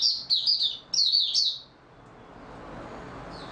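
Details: Oriental white-eye, 28 February 2022, in stable singing form: two quick, high, shrill chattering phrases within the first one and a half seconds, then near silence.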